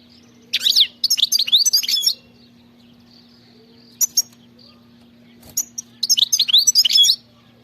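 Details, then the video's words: Singing European goldfinch in the khalawi style: rapid runs of high, bright, slurred twitters in bursts about a second and a half long, an isolated chip in between, and a steady low hum beneath. "غناء خلوي"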